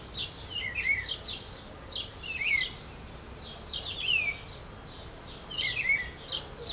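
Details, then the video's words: A Green-winged saltator (trinca-ferro, labelled Saltator maximus) sings short, rich whistled phrases that slur downward, repeated four times about every one and a half seconds over a soft background hiss. "Trinca-ferro cantando"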